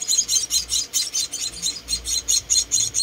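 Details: High, piercing chirps from four tiny rescued munia chicks during feeding, repeated a little more than twice per second in a steady pulsing series.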